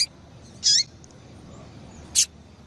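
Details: Female double-collared seedeater calling to stimulate males: one bright high chirp with a lower downward sweep, then a shorter sharp note about one and a half seconds later, over a low hiss.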